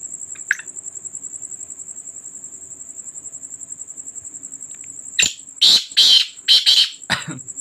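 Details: Black francolin calling at night: a burst of five harsh, grating, rasping notes near the end, over a steady high-pitched insect whine.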